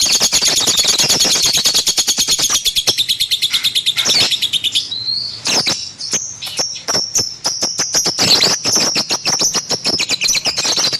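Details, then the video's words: Lovebird kept at home in a long burst of fast, rattling high chirps, then a rising squealed whistle followed by steady rapid clicking chatter and squeaks. "KiCAU BURUNG LOVEBIRD"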